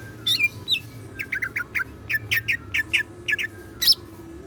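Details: Captive cucak ijo (greater green leafbird) singing energetically in siklon filling style. Two slurred whistles open a long, steady train of short, clipped, descending chirps, about three per second, ending in a harsh high note. Low hum throughout.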